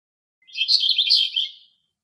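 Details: A male Eastern black-eared wheatear singing in Greek nature gives a brief, scratchy, high warbled phrase of about one second, with jumbled chirpy notes and nothing else heard.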